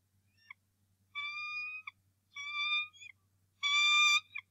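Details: Adult male bald eagle at the Decorah North Nest on the morning of 2 March 2018, angrily defending the nest against a returning intruder: three drawn-out, harmonic, squealing calls, the last one louder and harsher, with short clipped notes between.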